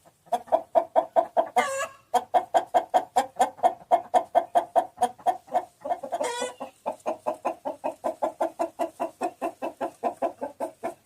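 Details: Rapid, steady chicken clucking throughout, about two to three clucks per second, interrupted twice by short rising squawks before the even, throaty pattern resumes.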